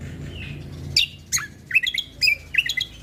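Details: Energetic Sumatran leafbird song, local name Cucak Kombo Lombok, with natural fill phrases. Sharp down-slurred chirps give way to quick bubbling clusters of twangy whistled notes over faint background hum.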